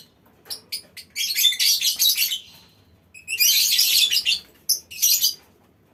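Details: Aviary lovebirds calling together as a colony; a few sharp chirps lead into two long stretches of dense, harsh, high chattering with a short lull between them.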